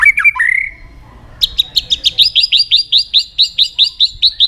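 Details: White-rumped shama singing as a lure for other shamas: a few rich slurred whistles open, then a fast, even string of about fifteen high, clipped, rising-falling notes.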